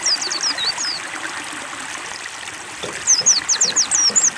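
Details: Caged white-eye (pleci) given water therapy to make it sing: a short burst of high, thin chirps, a pause filled only with trickling water, then another quick run of sweeping notes.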